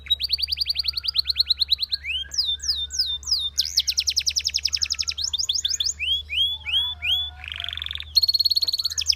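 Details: Belgian canary singing a training song: fast trilled tours of repeated notes, upward-sweeping whistles, buzzy rolls and slurred phrases, changing every second or two, with a steady low hum underneath.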